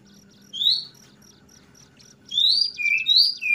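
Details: Oriental magpie-robin of the kacer trotol type singing in the clear ngeplong style: a pure rising whistle, a pause, then a burst of sweet whistled slurs. A fine rapid ticking and a low steady hum run underneath.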